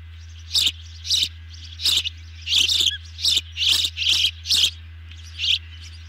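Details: Evening feeding at an osprey nest, 18 June 2020, after a big dinner arrives: sharp, piercing chirps spaced roughly half a second to a second apart, some in quick pairs, against a steady low hum.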